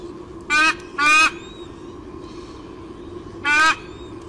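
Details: A white-bellied sea eagle chick (SE17) on its nest in Olympic Park, Sydney, Australia, on 30 July 2016 around 8:42 am, gives three harsh, chirpy squeals, two close together then one after a pause, over a steady low hum.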